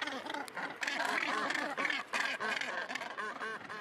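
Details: Northern gannet calls at a breeding colony on Helgoland's cliffs: loud, rasping, rapidly repeated harsh notes in quick bursts, several birds calling close together with brief pauses between outbursts.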